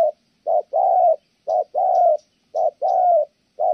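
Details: Spotted dove of Kon Tum singing a thổ âm coo: mellow low hoots in pairs, a clipped note leading into a longer, slightly falling one, repeated rhythmically; occasional faint high chirps.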